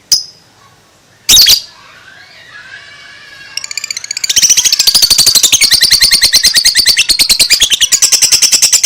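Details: Two-month-old lovebird in ngekek style: faint scattered notes, then a fast, loud chattering trill of high buzzy notes that runs on without pause through the second half.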